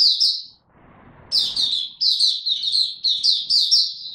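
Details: Oriental white-eye in ramp-up form: two high chirps, a brief rustling noise, then a steady run of rapid, bright, sweet twittering phrases repeated several times a second.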